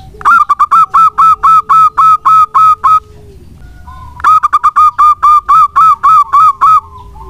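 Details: Local zebra dove in full voice, played to stimulate other doves: two bursts of about ten rapid, hollow cooing notes at a level pitch, separated by a short pause, with a faint steady hum beneath.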